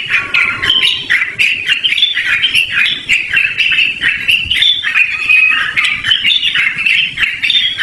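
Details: Long-running Yellow-vented bulbul song meant for luring or training birds: dense, gurgling warbles and chatter continue throughout, with brief clicks and light background noise.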